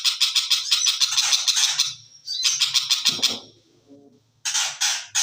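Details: Long-tailed shrike known as Cendet Macan, delivering a rapid run of harsh, raspy squawking notes about three per second, a brief pause, then more grating bursts.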